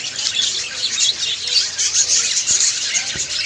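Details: Budgies twittering in a constant, shrill chorus of fast high chirps and tweets, many birds overlapping, with two brief clicks near the end.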